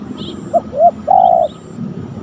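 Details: Spotted dove, a wild bird near a coconut tree in the afternoon, gives three low, soft coos: a brief note, a longer one, then a drawn-out final coo, over quiet outdoor background.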